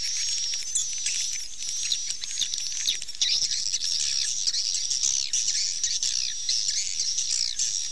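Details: A swiftlet calling sound, used to attract passing swiftlets, forms a dense, continuous stream of high, buzzy chirps and twitters, with many rapid notes overlapping without pause.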